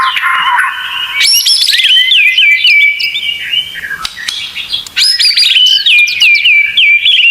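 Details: Murai batu song with 'tembakan' fill phrases: a burst of low chatter, then two bright runs of quick high whistled notes dropping in steps, a brief gap between them.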